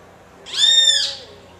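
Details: Great kiskadee calling to another of its species: a single harsh, nasal, buzzy note about half a second long, rich in overtones, rising slightly and then falling away, over a quiet background.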